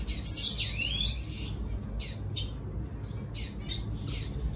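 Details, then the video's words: A red siskin sings to lure a female, a run of high, scratchy twitters and buzzy trills mixed with squeaky notes, coming in short bursts over a low background hum. "Redsiskin sing a song"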